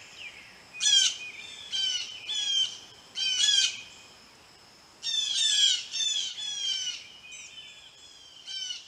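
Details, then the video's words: Blue jays arriving at a birdbath give harsh, raspy squawks in loud bursts of two or three, repeated several times over nine seconds with brief quiet gaps between groups. "Blue Jays Arriving at The Birdbath"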